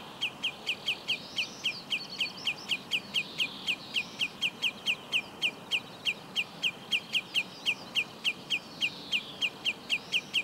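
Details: A common redshank (Tringa totanus) at Úherce, Plzeň-North, Czechia, on 18 June 2017 gives a long run of sharp, high, down-slurred 'tyu' notes, about four a second, with another bird faint behind it over a steady hiss; common redshank.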